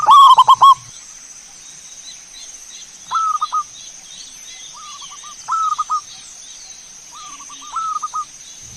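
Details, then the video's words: Zebra dove song used as a lure to make other birds sing: one loud stuttering phrase of rapid notes, then three softer repeated phrases about every two seconds, over a steady high electrical-like whine. "PANCINGAN SUARA BURUNG PERKUTUT"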